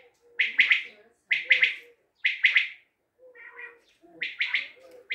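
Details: Triple-noted call of a common quail from Tajikistan, each crisp burst of three notes spaced about a second apart, with faint low chuckling in the gaps.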